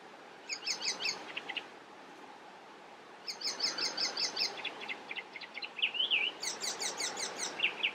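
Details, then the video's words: Icterine warbler singing on 27 June 2021 in Västerbotten: fast, varied high phrases of chattering, chirping notes and a slurred whistle, delivered in bursts with short pauses, over a steady low background hum. "Härmsångare - icterine warbler - Hippolais icterina song."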